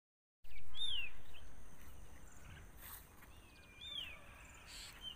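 A sunbird chick gives two thin, high, down-slurred calls about three seconds apart over a steady low background rumble.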